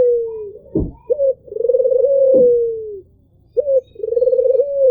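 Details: Albino Barbary dove cooing steadily, each phrase a short upturned note followed by a long vibrating coo that fades downward, with a couple of soft knocks in the background.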